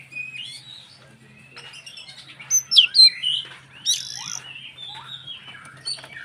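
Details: White-rumped shama singing to provoke other shamas into song: soft warbles building to sharp whistled notes and buzzy chatter, over a steady faint low hum.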